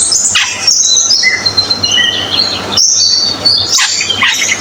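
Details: Cucak keling bird in song: a chain of thin high whistles and squeaky notes, some drawn-out and level, with brief gaps, over persistent hiss and low hum.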